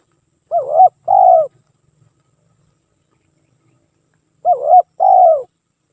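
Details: Spotted dove song from a nonstop lure recording: two low cooing phrases, a wavering first coo followed by a longer, steady, slightly falling coo, repeated after a four-second pause in otherwise clean silence.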